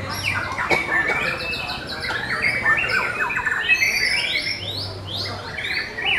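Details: Fast, energetic white-rumped shama song at a bird competition, rising and falling whistled notes mixed with harsh squawky bursts, overlapping singers and an intermittent low hum.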